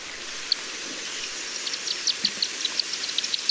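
Black Swift giving thin, high chips, scattered at first, then quickening to several a second, over the steady rush of a waterfall.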